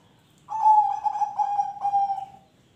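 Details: Zebra dove singing a phrase meant to prompt other birds to sing: a clear level coo breaking into several quick pulsed notes, then a drawn-out fading tone, with a quiet low background hum.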